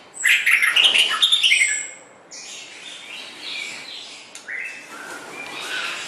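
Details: White-rumped shama song used as a tutor recording for training songbirds: a loud burst of rapid, varied whistled and chattering notes, followed by quieter, softer warbled phrases with short gaps.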